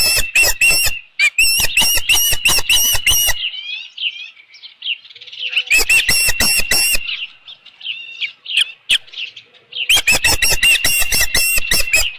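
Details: Osprey calling at the nest around 7:55 PM on 15 July 2018 as a headless fish comes in. Loud runs of rapid shrill whistles alternate with softer, slurred chirping between them.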